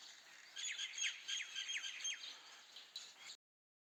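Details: House sparrow chirping: a rapid series of short, sharp chirps and downslurred notes over about three seconds, fairly quiet, against a faint steady background hiss.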